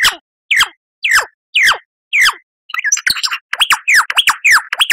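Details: Lyrebird song used as a master recording for cage birds to copy: five loud, separate whistled notes sweeping downward, then a fast run of looping, repeated downslurred whistles, with clean silent gaps and no other sounds.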